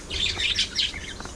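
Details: A pet budgerigar, one of a playful, chatty group, gives a brief, bright warble of high twittering notes that rise and fall quickly.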